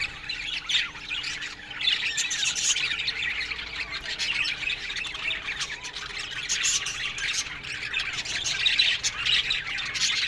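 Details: Morning aviary colony of budgerigars, softer continuous chattering and twittering from numerous birds, a faint steady low hum running underneath.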